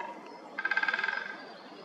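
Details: In the Hannover region, January to March 2022, a Middle spotted woodpecker gives one quick chattering rattle, about fifteen nasal notes in under a second, over a quiet background hiss.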